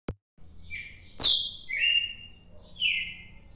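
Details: Red-cowled cardinal recorded on 4 December: a few clear whistled notes, one sharply falling high slur then level mid-pitched whistles, with a click at the start.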